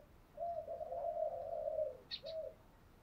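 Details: Spotted dove lure call used to stimulate a decoy bird: a long, low, steady coo, then a brief pause and a short closing coo, with two tiny high chirps and a quiet noisy background.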